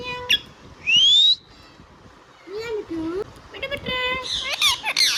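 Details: Indian ringneck, a pet parrot, talking: one loud rising whistle, then muffled, speech-like syllables with wavering pitch, ending in scratchy squawks.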